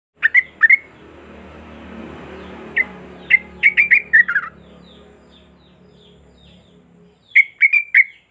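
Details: Sooty-headed bulbul song used as a lure for silent bulbuls: short bright chirps near the start, a quick cluster of rising and falling notes around the middle, and another burst at the end, over a low steady hum.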